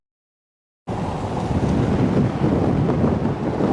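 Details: Steady wind rumble and microphone buffeting follow a short silence, with no animal voice.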